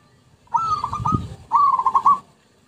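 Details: Zebra dove lure song in two back-to-back phrases of fast, pulsing coos, the second ending in a louder accented note, with a low knock in the first.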